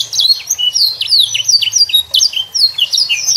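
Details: Juvenile canary singing a lively varied song to stimulate young canaries: bright high notes sweeping downward in quick succession, brief trilled bursts, low background hum.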